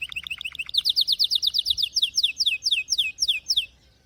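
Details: Singing canary: a short burst of quick high chips, then a steady series of loud, sharply descending slurred whistles, about four per second, before the phrase stops abruptly into silence.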